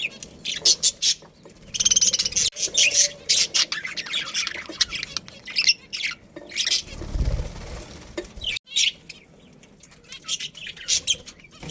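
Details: Breeding pair of budgerigars, Australian parrots kept at home: scattered bright chirps and harsh chatter in irregular bursts, loud early then thinning out, with a short low thump midway and quieter twittering toward the end.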